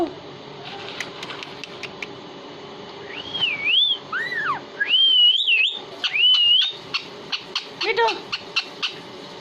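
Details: Pet parrot known for talking in Hindi, whistling a few smooth wavy, rising-and-falling tones midway through, over steady background noise and scattered clicks.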